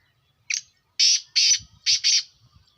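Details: Black francolin calling: a short clipped note, then four loud, harsh, rasping bursts grouped in two pairs, finished within about two seconds, against an otherwise quiet background with faint low thumps.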